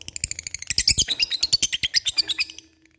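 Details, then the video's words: Lovebird in active ngekek song, also described as cik cik cerrr: a fast, steady stream of sharp, high chattering notes, about three per second, building in strength before fading at the end. "LOVEBIRD cik cik cerrr,suara brung labet ngetik ngekek gacor"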